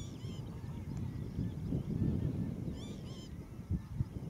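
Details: Calls of a young northern lapwing, Zandvoortweg, 25 May 2014: a brief pair of slurred, wheezy notes at the start and a clustered trio later, set against constant deep rumbling noise and a couple of dull thumps.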